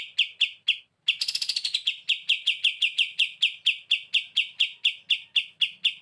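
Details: Olive-winged Bulbul in full, lively song as a tutor recording: a few sharp chips, a short pause, a harsh buzzy rattle, then a long, steady run of bright repeated chips at a quick even pace.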